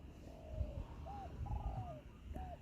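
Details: Spotted dove (Spilopelia chinensis) during decoy trapping in Thailand, with a decoy bird set against a wild target dove: four soft, hollow, slightly arched coos about one every half second, over low wind rumble and handling noise.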